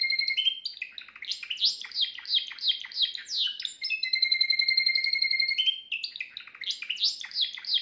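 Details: Flawless song of a Timbrado canary, a home-kept bird, recorded the previous day as a tutor for young canaries: quick descending chirp runs, a long even metallic trill near the middle, then rapid chirps resume.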